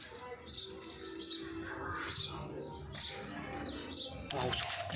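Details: A pet Indian ringneck (rose-ringed) parakeet gives harsh, high screeching notes about once a second over a murmur of indoor background sound.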